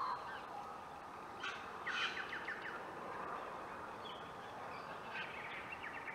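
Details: White-winged choughs nest building at Clunes, Victoria, on 27 September 2021, giving short rasping rattles in quick bursts near two and five seconds over a steady hiss of background noise.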